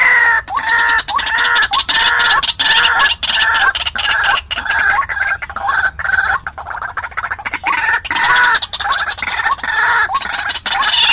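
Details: Trapping lure of a white-breasted waterhen calling to wild birds: a long, steady series of loud, nasal, upward-hooked notes, about one and a half per second, with harsh harmonics and a few clicking breaks.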